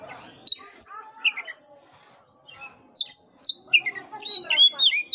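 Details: Oriental magpie-robin song meant to rouse a sluggish bird to sing, opening with harsh rasping notes and a drawn-out buzzy phrase, then a lively run of bright, high whistled chirps.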